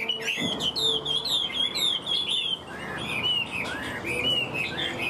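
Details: A kept hwamei, prized for strong singing and fighting, whistles clear, high, wavering phrases in quick succession, pausing briefly midway before resuming with looping notes.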